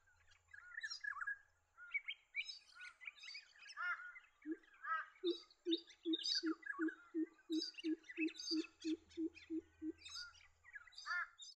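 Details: A pheasant coucal (Centropus phasianinus), a cuckoo of northern and eastern Australian forests and woodlands, gives about fourteen deep, hollow, evenly paced hoots under a busy chorus of higher chirping and warbling birds.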